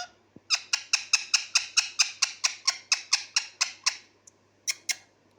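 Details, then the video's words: Pet talking parrot kept indoors, repeating a harsh, grating squawk about fifteen times in a steady rapid series, roughly five per second, then a pause and two more squawks. "मिठ्ठू बोलने बाला तोता# बहुत बात करता है"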